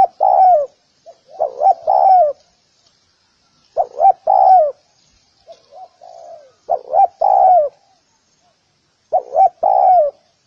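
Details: Spotted dove calling in a recording meant for training doves. Deep, hollow coo phrases, each two short notes joined to a drawn-out descending coo, are spaced a few seconds apart, with faint murmured notes between them.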